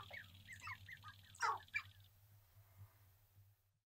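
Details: Sharp-tailed grouse males displaying on a lek in central North Dakota, April 2021, minutes before sunrise: a brief flurry of rapid clucks and two louder cackles, then fading to near silence with a faint low drone.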